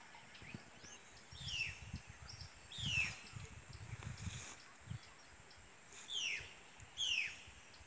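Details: Brown-throated parakeet, known locally as perico mastrantero, in full breeding season: harsh descending screechy notes, four spaced calls about one to three seconds apart, over low rumbling background noise.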